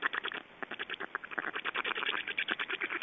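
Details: Feeding time for black storks in Estonia, 8 June 2012: a rhythmic run of short, nasal, wheezing pulses, about three per second, uneven in spacing and steady in pitch.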